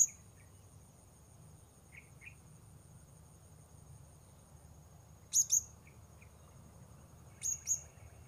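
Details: Two short clusters of piercing high notes from a blue-crowned hanging parrot, heard while luring birds at Port Baru, separated by about two seconds; faint lower chirps from another bird scattered in between.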